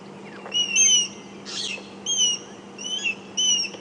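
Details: African grey hornbills give frantic thin, high whistles in short bursts a few seconds apart, possibly at their nest as a roller dive-bombs it, over a low hum and brief rushing noise; morning, Djuma Game Reserve, South Africa, 31 March 2016.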